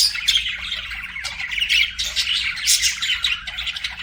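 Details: Budgies singing and chirping together, a busy mix of harsh squawks, short tweets and warbled notes running without pause through the whole stretch.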